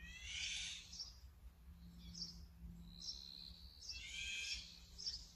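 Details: Brown-eared bulbul filmed with a Sony A7M3 and 200-600mm lens: two loud, harsh, raspy screeches about four seconds apart, with thin high chirps and a faint steady low hum between them.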